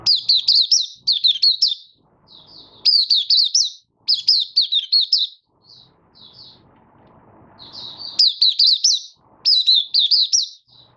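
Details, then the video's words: Recorded 24 August 2023, a caged Malaysian Oriental white-eye in building form and light moult delivers 'buka sing': repeated clusters of shrill, rapidly warbling whistled notes, broken by brief gaps and occasional soft background noise. "Malaysian Mata Puteh Buka Sing"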